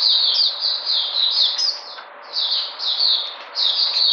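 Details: White-eye (puteh) recorded 13 February 2020, said to be regaining its energy: high, thin chattering warbles in long bursts, with one brief pause near two seconds and another before three and a half seconds.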